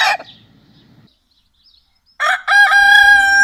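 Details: Rooster crowing: the tail of one loud, harmonic crow, then about a second of near silence, then a fresh crow that starts with rough, broken notes and settles into a long, steady, ringing tone.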